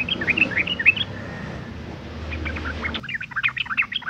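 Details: Sooty-headed bulbul female in breeding condition, her call used to lure males to sing: bursts of fast, twittering chatter with bright chirps, a quieter stretch in between, then more lively chattering, over background hum.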